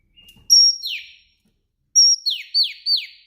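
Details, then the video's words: Female Oriental magpie-robin calling in the afternoon to stimulate males to sing: a high steady whistle followed by buzzy descending sweeps, given in two bursts, the second with three quick repeated sweeps. "Panggilan kacer betina disore hari ampuh merangsang kacer males bunyi."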